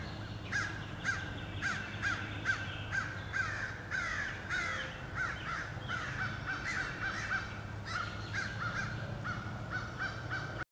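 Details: Relentless crows attacking eagles again and again, filmed 26 April 2015. Dense overlapping caws from several birds, rough and grating, repeat almost continuously throughout. A steady low background drone persists.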